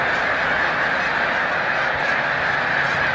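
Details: Snow geese in a massive migrating flock at Montezuma, New York, 7 March 2022, lifting off; countless overlapping nasal honks merge into a steady, continuous din.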